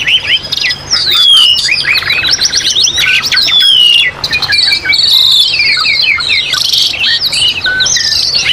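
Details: Therapy training track of Asian pied starling song against mountain nature sounds: rapid sequences of rising and falling whistles, harsh squawks and trilled chatter, overlapping almost without a break for over eight seconds.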